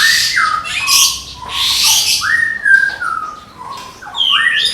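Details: Medan white-rumped shama kept caged for song contests, singing 'tembakan' style: long clear whistles stepping downward, harsh noisy bursts mixed in, and a quick rising flourish near the end.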